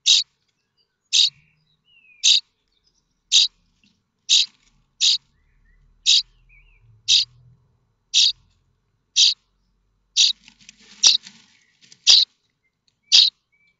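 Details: Nestlings of common starling in their nest at Théding, France, 7 May 2024, waiting for a parent to bring food; a steady series of brief hoarse rasps, roughly one each second, with faint rustling near the end.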